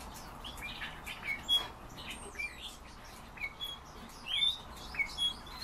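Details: European bee-eaters heard as a scattered chorus of short, throaty, purring call notes, repeated irregularly by several birds, with a continuous hiss of background noise underneath.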